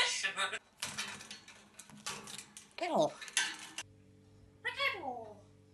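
An African grey parrot gives two short, speech-like utterances with swooping, then falling pitch, over clattering dishes and cutlery in a small room.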